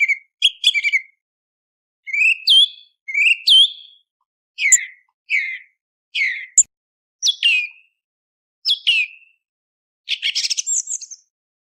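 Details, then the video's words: Song thrush song before sunrise, played for hunting: a varied string of loud whistled phrases, several given in doubled pairs, some dropping in pitch, ending with a scratchy, busy flourish; clean recording. "أفضل صوت سمن للفجر - تسحيب قبل طلوع الشمس Best Song Thrush Sound For Hunting Before Sunrise"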